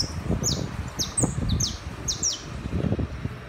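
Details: City-dwelling saffron finch giving chapinha-style song, a loose run of sharp descending high notes, some paired, spaced about a quarter second apart, against constant low-pitched traffic noise.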